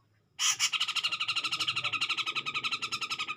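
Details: After a moment of quiet, a grey-cheeked bulbul bursts into loud, clear rival-provoking song, a steady rapid stream of rasping, buzzy notes at about seven to eight per second, held without pause to the end.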